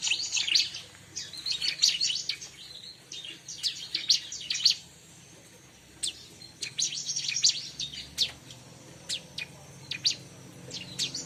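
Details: Bar-winged prinia, used to lure wild prinias, giving bursts of high, sharp chirps and quick twittering phrases, pausing briefly around the middle before resuming scattered chirps.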